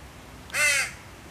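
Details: Crow fledgling begging its mother for food: one harsh, rasping, drawn-out caw lasting about a third of a second, loud against a quiet background.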